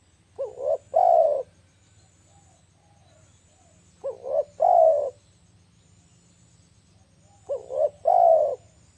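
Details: Spotted dove lure call, three phrases about every four seconds, each a quick double coo running into a long, loud, slightly falling purr, over a faint low hum.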